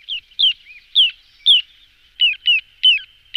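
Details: Decoy recording of a little ringed plover giving repeated high, descending whistled calls at irregular intervals, some paired closely together, with a faint steady high tone underneath.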